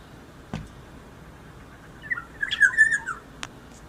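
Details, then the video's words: Black-naped oriole singing well: after a quiet pause comes a soft, fluty, warbled phrase with a liquid downward slur. Two sharp knocks sound before and after it over a low room hiss. "burung kepondang yg sudah gancorr"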